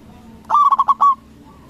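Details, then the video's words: Local zebra dove with a strong voice, used to provoke other doves to respond: one phrase of rapid staccato coos ending in a drawn-out note. "Perkutut lokal Gacor Suara BESAR bikin Cepat Emosi Lawan Auto Nyaut Seketika"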